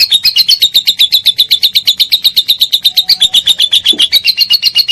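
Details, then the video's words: Lovebird giving ngekek, a long unbroken chatter meant for training songbirds such as cendet, murai batu and cucak ijo; shrill, evenly spaced notes about four per second at a constant high pitch throughout, a faint thump partway. "MASTERAN LOVE BIRD KONSLET NGEKEK PANJANG"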